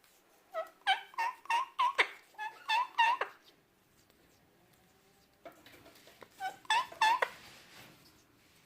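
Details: Male Indian ringneck parakeet kept as a pet in Bosnia and Herzegovina, making sounds while eating apple: quick runs of short, harmonic chirps with upturned and downturned tips, a pause with faint rustling, then another cluster of chirps.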